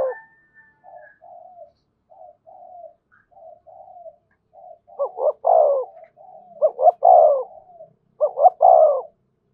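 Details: Spotted dove cooing in the thổ voice style with thúc and kèm calls: soft, short murmured coos at first, then three loud phrases of two quick notes and a longer falling coo, roughly every 1.7 seconds.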